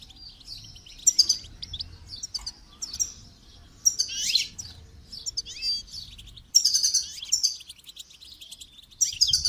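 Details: Goldfinch song used for song training: bursts of high, rapid twittering and buzzy trills with liquid notes, separated by short pauses, with a faint low hum underneath.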